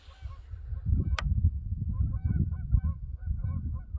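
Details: Canada geese honk in a loose, overlapping chorus of nasal, repeated honks from open water by an old bridge in early spring as ice melts, with a man's voice and low breeze rumble underneath.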